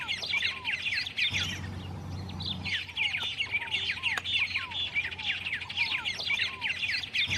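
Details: White-rumped tanager (Cypsnagra hirundinacea) singing in the wild: a dense, busy chatter of quick high chirps and short up-slurred whistles, several each second, with a brief low hum partway through.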